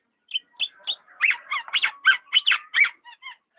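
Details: Black-naped oriole giving a fast chattering run of short, sharp notes, several per second, with a few high metallic chips fading out at the end.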